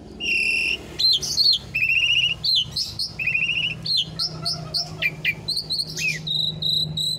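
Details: Asian pied starling song, a master recording used to train other starlings, with a clear voice and long chatty delivery: varied whistled phrases, some rising and falling, mixed with harsher repeated notes and brief pauses over a faint low hum.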